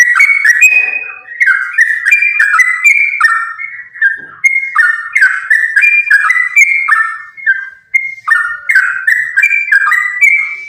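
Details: Sooty-headed bulbul pouring out a continuous fighting song, used as a lure to get other sooty-headed bulbuls to sing. Rolling whistled phrases chatter almost without a break, dipping and rising quickly.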